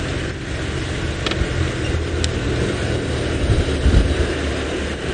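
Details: Loud, continuous engine drone from a safari vehicle on an early-morning drive, with a couple of brief clicks, and no animal voice.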